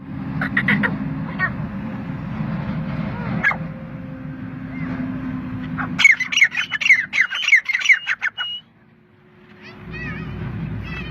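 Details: Partridge in Pakistan: after six seconds of low rumbling background noise, a loud burst of harsh, rapid, squawking notes lasts about two and a half seconds, then stops abruptly before faint background sound returns.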